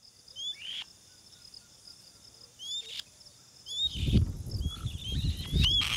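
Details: An adult white-tailed kite in Brazil, arriving at its nest with rodents to feed its three young, gives thin, rising whistled notes spaced a second or two apart over a steady insect hum, with wind rumble in the second half.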